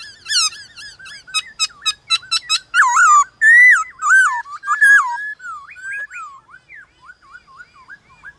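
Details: Morning singing duel between a kept black-throated laughingthrush and wild birds: fast rhythmic chipping notes build into loud looping whistles, then a string of quick twisting slurred notes that fade toward the end.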